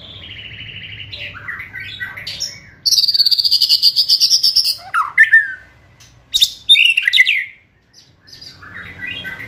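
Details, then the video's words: White-rumped shama song used to provoke and speed up singing: varied whistled phrases, a fast buzzy rattling stretch, then loud sharp rising and falling notes with pauses between, faint low background rumble. "Kretekan Gahar MURAI BATU GACOR ini untuk memancing Emosi dan mempercepat Ngeplong"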